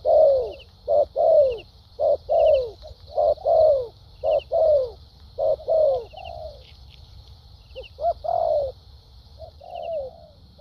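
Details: Wild-caught spotted dove with a strong contest temperament cooing in the lèo dặm and thúc gù styles: about a dozen rounded, downward-curving coos in steady pairs, then softer spaced notes, with a faint high hum throughout.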